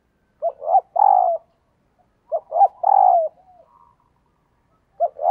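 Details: Calling female dove attracting males, giving phrases about two seconds apart, each a pair of clipped notes followed by a long, slightly falling coo; a third phrase starts at the end.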